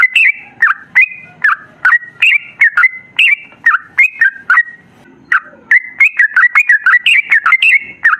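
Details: Sooty-headed bulbul in a long, continuous song of loud, clear whistled phrases, each a short rising-then-falling note group, repeated rapidly with brief pauses and a gap near the middle; no other sounds.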